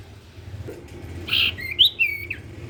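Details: Sirtu, the common iora, singing to prompt other sirtu birds: a rough, buzzy note followed by bright, sharp whistles and a flat sustained tone, with a faint hum underneath.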